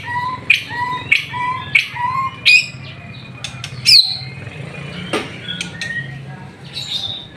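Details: Afternoon bath of a white-rumped shama in full song. It opens with four even low whistled notes, each followed by a sharp high click, then scattered bright chips and whistles.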